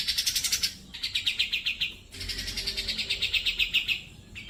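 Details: Grey-cheeked bulbul, kept as a tutor recording for training pet birds. It gives fast, buzzy pulsed trills, about a dozen notes a second, in three bursts separated by short pauses. The pitch steps down between phrases.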